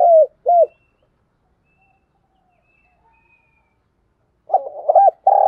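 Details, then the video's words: Spotted dove calling as a decoy to draw in other doves. Two arched, hollow coos at the start, a long silence, then a stuttering, throaty phrase of coos at the end. "Tiếng cu gáy mồi chuẩn"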